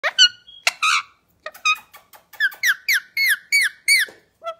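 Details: Indian ringneck parakeet, a pet being cuddled, giving a string of harmonic, down-slurred chirps at about two to three a second, after a few sharper squeaks and soft clicks at the start; quiet indoor room.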